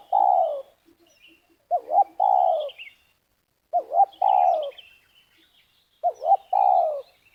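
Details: Dove luring with a snare trap in Liwa, West Lampung, Indonesia. A spotted dove repeats its phrase three times, roughly every two seconds: a pair of short, wobbling notes followed by a long, mellow, descending coo. Faint high twittering sounds in the background.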